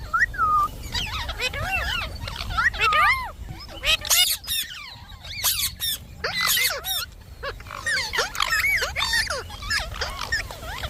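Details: Pet Indian ringneck parakeet chattering in talking mode, with curving squawky syllables and several loud harsh bursts separated by short quiet gaps.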